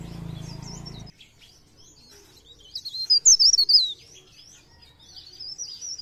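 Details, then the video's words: Mountain leaf warbler recorded as a lure: a low rumbling noise for the first second, then a high, quick warbled phrase around the middle and faint high trilling afterwards. "Cikrak daun | pre pare | blereng gacor untuk pancingan bunyi"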